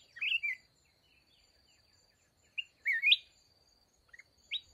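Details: Red-whiskered bulbul, a mountain bird, calling near a decoy trap: short bright warbled phrases, rising and falling, in two bursts about two and a half seconds apart, with a faint steady high insect-like tone behind.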